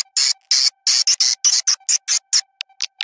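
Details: Swiftlet lure call recording: rapid, harsh, buzzy chirps, about two to three a second, in an uneven run, over a faint steady low hum, with added background songbird sounds.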